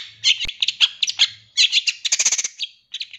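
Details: Short burst of long-tailed shrike song from a master recording for captive birds: harsh, rapid chattering notes repeated in quick clusters, ending in a few spaced chips.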